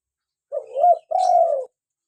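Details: Local spotted dove (tekukur) used to lure wild doves and stimulate captive birds to call; two-part cooing, a short hooting note swelling upward, a gap, then a drawn-out level coo sliding down, with a faint higher rustle.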